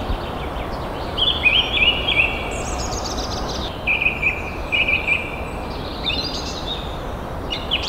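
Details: Crested serpent eagle, a snake-eating raptor, calling: short whistled notes near the same pitch, given in quick uneven clusters with a few higher sweeping notes, over a steady hiss of outdoor background noise.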